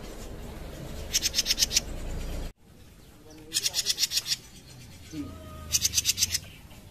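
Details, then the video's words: Small caged jenggot bird singing: three short bursts of rapid, dry, high-pitched ticking notes, about six each, spaced a couple of seconds apart, over quiet low background hum and a brief click. "JENGGOT MINI BARU NGOMBYOK LANGSUNG BUNYI"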